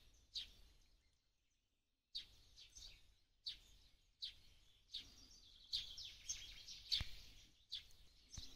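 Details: Sparrow recorded in Ukrainian forest, April 2023: two seconds of quiet, then a steady run of short, high, sharp chirps about twice a second, growing louder and busier toward the end over soft low rumble.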